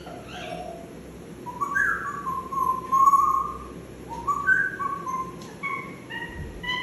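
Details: African grey parrot, a pet bird, whistling the tune Nukavaliya: clear melodic whistled notes rising and falling in a flowing phrase, with a short scratchy sound near the start and quiet room background.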